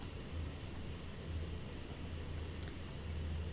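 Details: A steady low hum like a fan or engine, with a faint click near the end and no animal sounds.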